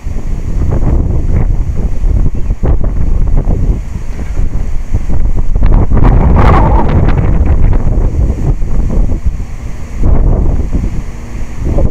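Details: Strong wind buffeting the microphone with a constant loud rumble, with no animal sound.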